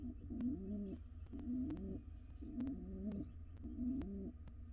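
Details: One of a wild pigeon pair courting inside a nest box, uttering four throaty, rolling coo phrases about a second apart, with a low background rumble and sharp clicks.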